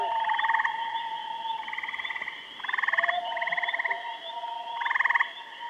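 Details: Common loons calling at Kennebec, pulsed yodel-like tremolos about every second and a half, interleaved with a sustained wail at the start and near the end.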